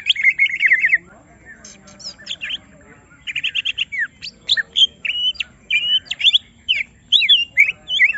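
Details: A caged greater green leafbird, stirred up so it shows its full song, opens with a fast trilled warble, pauses, then delivers a jumble of sharp high chirps, slurred whistles and clicks.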